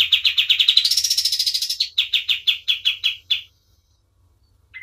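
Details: Tutor-style song of a kapas tembak white-eye singing freely: rapid high chips swelling into a bright buzzy trill, then slower spaced chips roughly three per second, a short pause and one lower closing note.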